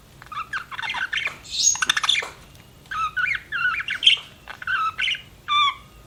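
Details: Pet budgerigar chattering: a mix of scratchy squawks, rapid clicking notes and clearer whistled chirps, delivered in several bursts, ending on a short rising whistle.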